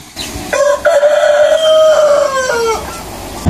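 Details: A rooster crowing in the morning gives one long crow, a brief clipped start and then a loud, held, ringing note that falls away at the end, over quiet background.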